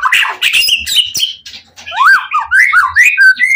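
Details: Fired-up White-rumped shama singing to lure rival shamas into replying: harsh, scratchy notes at first, a brief pause, then clear swooping whistles that rise and fall in quick succession.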